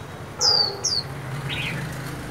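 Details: Chinese hwamei giving two loud, clear whistles that slide downward in pitch, followed by a softer, lower burry note over a steady low hum.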